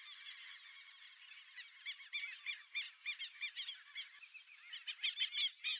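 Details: A Brazilian teal pair begins with a drawn-out thin whistle, then speeds into quick, bouncing squeaky notes, several per second, growing louder toward the end.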